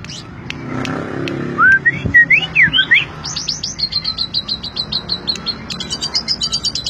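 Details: Asian pied starling song, called super chirping with ngentrok style: a few sharp clicks, then whistled rising and looping notes, followed by rapid repeated buzzy notes around the upper range, about two per second, with faint low background noise.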